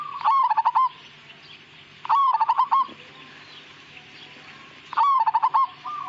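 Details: Majapahit-type perkutut, a zebra dove, singing three rapid throbbing coo phrases in gacor style, the second and third spaced about three seconds apart, with softer coos trailing at the end.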